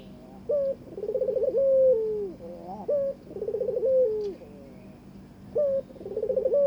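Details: Male-style courtship cooing of a Barbary dove paired with a mate: a clipped rising note, a buzzy rolling trill, then a long sliding fall, repeated three times at steady intervals over a low hum.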